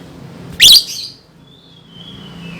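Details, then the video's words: Lovebird, a recording suited to prompting young birds: a single loud, shrill chirp followed by a long faint thin whistle that slowly falls, over a quiet humming background. "SUARA BURUNG Love Bird COCOK BUAT PANCINGAN PAUD"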